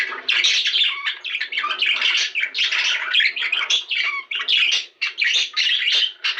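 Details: Pet budgerigars warbling in a recording meant to trigger mating: loud, rapid run of squeaky chirps, buzzy notes and clicks, with a few short drops in volume.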